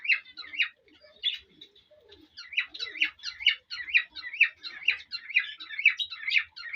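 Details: Whistling song of a male cockatiel aimed at a female to encourage mating: a few scattered notes and soft lower sounds give way to a long, even series of warbled, up-and-down whistles.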